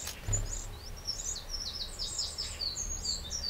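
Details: Eurasian wren in a garden in the Châtillonnais, Burgundy, France, recorded 31 May 2023, giving a fast, high-pitched twittering trill over steady low rumbling background noise.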